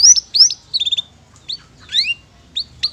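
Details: Canary singing in a loose phrase: a few bright chirps, a quick four-note burst, then scattered upward-sweeping notes with short pauses between them. It is part of a recording for training birds.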